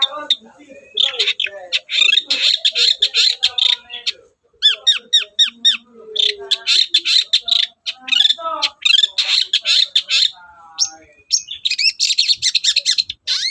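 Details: Energetic Long-tailed shrike song meant as a lure for reluctant shrikes: long, busy stretches of harsh chattering and buzzy notes mixed with quick rising and falling slurs, broken by brief gaps, with faint lower notes underneath.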